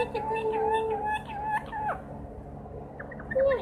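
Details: Green parrot known for singing, whistling and speaking: two long steady whistles at different pitches, a brief downward slide, then quieter chatter and a final short whistled phrase over background hum.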